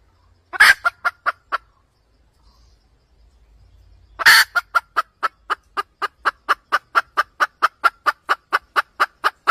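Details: Red junglefowl hen cackling as a trapping lure: a loud harsh squawk followed by a few clucks, a pause, then another squawk and a long, steady train of sharp clucks, about three per second.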